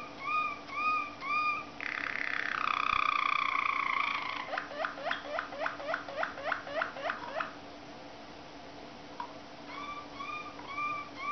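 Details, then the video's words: Waterslager canary, also called Malinois, singing: paired rising whistled notes, a loud sustained rolling tour, then a run of about a dozen quick falling water-like notes, a pause and more rising whistles, over a steady low hum. "waterslager ( malinua ) song"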